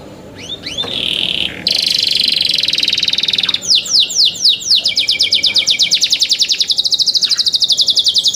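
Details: Young canary, caged, singing loudly: a few upward-sweeping notes, then a long fast buzzy trill, followed by a rapid series of descending whistled notes repeated about four times per second.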